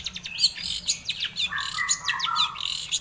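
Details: Long-tailed shrike song played to make other shrikes respond and sing: a rapid, busy jumble of high chattering notes and mimicked chirps, with lower whistled phrases sliding in midway.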